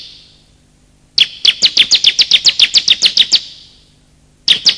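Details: Bar-winged prinia lure call, male and female: after near silence, a long rapid train of about twelve piercing high chirps, fading echo, then another burst begins.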